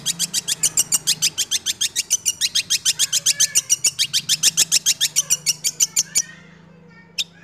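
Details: Rapid rolling song of a six-month-old caged long-tailed shrike: a long, steady train of high, sharp notes, roughly three a second, ending abruptly, then a brief pause and one final chip.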